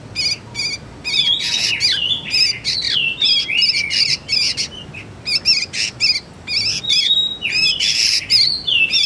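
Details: Juvenile sooty-headed bulbul, recorded for use as a lure and as a tutor for magpie-robins: rapid bursts of harsh, wavering chirps mixed with short rising and falling whistled notes, repeated in quick clusters with brief pauses.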